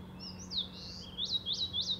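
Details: Eastern crowned warbler at Shari, Hokkaido, singing thin, high notes: a drawn-out slurred phrase, then three quick upslurred notes about a third of a second apart, over a faint steady hum.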